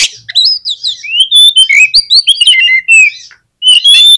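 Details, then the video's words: Oriental magpie-robin, used as a lure to get a reluctant bird to answer, singing a loud, rich, nonstop run of varied whistles, slurred rising and falling notes, trills and high chips, broken by a short pause before resuming. "KACER MALAS BUNYI JADI IKUT NYAUT DAN GAMPANG RESPON DENGAR SUARA KACER INI"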